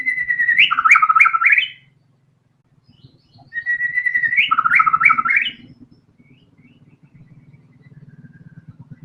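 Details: Loud, lively white-rumped shama song meant to draw out other songbirds: two bright phrases, each a steady whistle breaking into quick rising and falling warbles, separated by a short pause, with soft rumbling noise behind.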